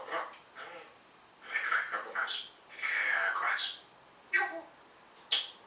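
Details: Pet African grey parrot talking indoors in a small room, several short speech-like phrases with word-shaped syllables and pauses between them, the longest phrase sustained about a second.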